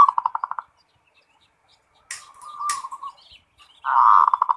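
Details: Zebra dove 'ngerot' song: a pulsed stuttering phrase, a pause, a drawn-out wavering note with sharp clicks, and a loud rolling trill to finish.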